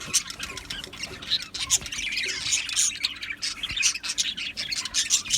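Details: Australian budgies in an aviary colony, chirping together in a dense, continuous high-pitched chatter of squawks and warbling notes, with many birds calling at once.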